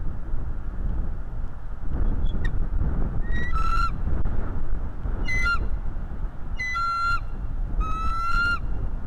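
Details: Bald eagle chasing a stranger eagle away, recorded by a live nest camera: repeated bursts of shrill chittering whistles, each ending in a longer piping note, spaced about one to two seconds apart, with steady wind rumble.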